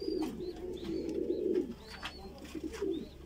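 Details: A chick of the Voorburg Shield Cropper fancy pigeon breed is fed and gives a dense, gurgling low rumble that fades midway. Faint high, thin arched squeaks recur throughout.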